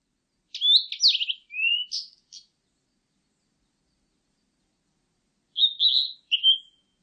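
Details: Blue-and-white flycatcher song: a clear phrase of sweet whistled notes with buzzy, rapidly modulated elements and a falling slur, lasting about two seconds, then a shorter whistled phrase after a pause; clean background with no other sounds.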